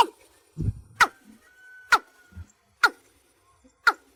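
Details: Gathering call of a watercock: four or five loud, abrupt notes about a second apart, with a soft low thud and a brief steady tone between them.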